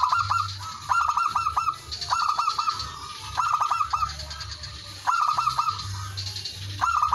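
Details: Male zebra dove calling to rivals, used as a lure to draw other doves: repeated bursts of rapid, stuttering coos around mid pitch, each phrase about a second long, separated by short pauses, with a low steady hum underneath.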